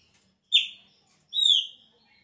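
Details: At the start of the season, a Chopi blackbird gives two strong whistled notes about three quarters of a second apart. The first falls sharply, and the second is a longer, clear downward glide.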